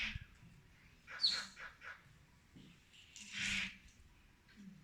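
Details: Two sparrows fighting: bursts of harsh, noisy chirps and squawks in two short flurries, with quiet gaps and faint low background rumble between them.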